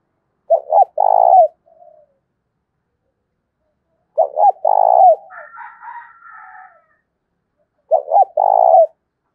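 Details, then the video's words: Spotted dove coo used to provoke wild doves and decoy birds, heard three times about every four seconds: each time two clipped notes and a long burred coo, with a softer, higher warbling sound between the second and third phrases. "cu gay kich boi nhanh noi gù tiếng thúc đấu gây úc chế cho chim bổi và chim mồi"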